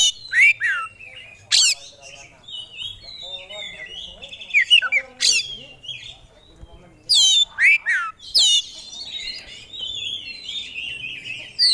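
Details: Oriental magpie-robin kept by hobbyists, singing energetically and pouring out its fill-in repertoire. Loud sweeping slurs and sharp cracks mix with flowing whistled phrases and high twitters.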